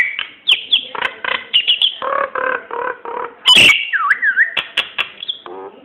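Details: Varied song of a Nias hill myna, offered to coax other birds into song: clipped whistles and buzzy rasping phrases, one loud harsh screech, then a wavering, looping whistle.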